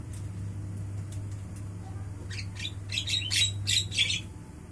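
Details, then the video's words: Javan myna singing at midday: after a second or so of faint scratchy notes, a run of loud, harsh, buzzy squawks and rasping chatter bursts out over about two seconds, over a steady low electrical hum. "suara asli Burung jalak kerbau Siang Hari"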